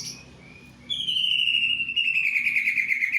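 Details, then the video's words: Greater green leafbird song imitating a kingfisher, one loud, long rattling whistle that starts high and slowly drops in pitch, lasting over two seconds, with faint background hum. "Cicak ijo materi cekakak udang"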